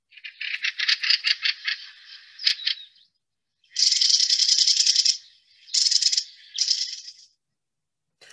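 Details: Mistle thrush in winter in Warwickshire giving its dry, harsh rattle, a key call no other thrush makes: a stuttering run of churrs, then several longer rattles of about a second each, with short pauses between.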